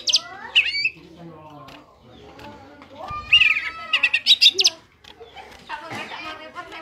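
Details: Vigorous ngentrok-style song of a greater green leafbird, kept as a master reference for tutoring other songbirds. Sharp high slurs open, a long steady whistle follows midway, then a burst of loud, rapid chattering notes and softer warbling.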